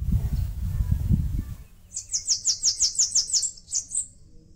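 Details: Bananaquit singing as it builds a nest on a mandacaru cactus in Brazil's Northeast: after low rumbling noise, a quick run of about ten high, thin, buzzy ticking notes ending in a short upward flourish.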